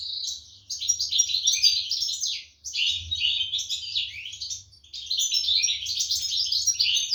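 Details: European goldfinch chicks calling while being fed by their parents, 2023; three loud bouts of squeaky, scratchy twittering separated by brief quieter gaps, with a low hum underneath.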